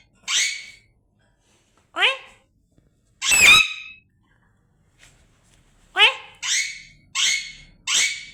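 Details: Parrot indoors repeating a mimicked "oye" again and again: sharp, scratchy downward-sliding calls, spaced irregularly, then four in a faster run near the end.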